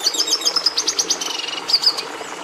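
A red siskin sings a fast, high twittering run of sharp chips and short buzzy trills, delivered in quick bursts.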